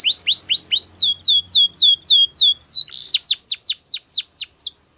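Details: Canary singing a training song, a run of bright rising whistles then a quicker series of sharply falling notes, about four a second, ending abruptly.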